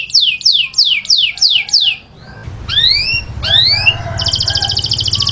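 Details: Taghreed-style canary song meant for training chicks: a series of five descending sweeping whistles, then rising slurred notes, ending in a fast buzzy trill, with faint low hum underneath.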